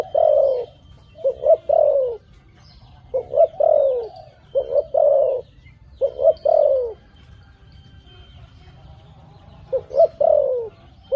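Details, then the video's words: Dove cooing in four phrases of two or three short coos plus a longer falling note, with a pause of several seconds before the last phrase; low rumble in the background. "Good sound dove.Bunyi merpati yang bagus"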